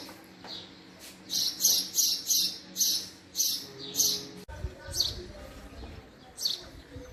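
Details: A male house sparrow chirps in a rapid run of about eight loud high notes, nearly two per second, then a sudden break and three softer chirps afterward.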